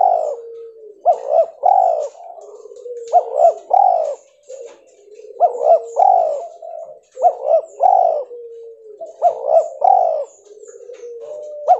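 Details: Pure white albino spotted dove cooing repeatedly, about six phrases each of two quick rising notes and a longer mellow coo, separated by low continuous purring notes.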